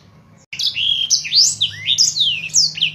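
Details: Black-throated canary singing vigorously, used as a tutor song for other birds: a quick, high warbling phrase of sweeping, slurred notes running for over two seconds over a faint low hum.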